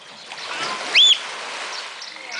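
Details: An oystercatcher at Walsrode, Germany, gives a single loud, shrill, slightly arched 'kleep' note over a steady rushing background of water or wind.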